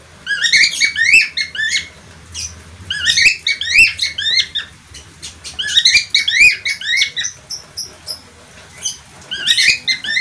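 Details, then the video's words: Parkit australia or falk, the budgerigar, chattering in repeated clusters of warbling, rising chirps with short gaps between bursts throughout. "parkit australia atau falk"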